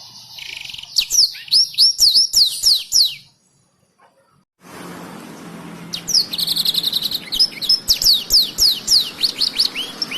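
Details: Captive black-throated canary singing energetically as a tutor recording for canaries: fast high chattering notes and downward-swept whistles, a brief silent pause, then resumed song with a quick trill and more sharp falling notes.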